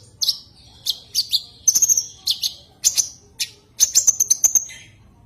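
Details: Common iora calling to a rival, giving sharp high chirps, then short steady whistled notes in rapid strings of four to six, separated by short gaps.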